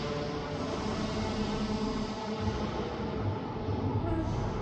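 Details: Dense mix of music, murmuring speech and rumbling vehicle-like noise, with no animal call.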